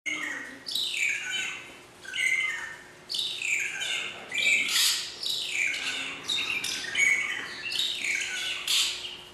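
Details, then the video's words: Magpie shrike at Philadelphia Zoo singing, sounding almost like shrieking: harsh, scratchy bursts mixed with short clear whistles about every second, over a faint steady hum. "Magpie Shrike Singing"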